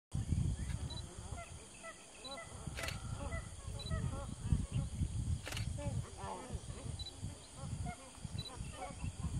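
Purple swamphen giving short, nasal, clucking notes in quick irregular bursts, over a heavy low rumble of wind or handling noise.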